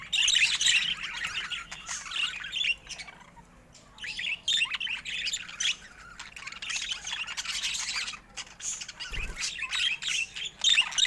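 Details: Pet budgerigars of rare colour mutations chatter busily: quick chirps and twittering warbles come in waves, easing off briefly around the middle before picking up again.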